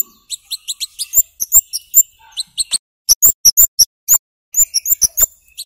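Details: Lively flowerpecker song, meant as a lure to get young birds to sing: continuous rapid strings of piercing high chirps and clicky ticks, fast and uneven in rhythm, with brief pauses between runs.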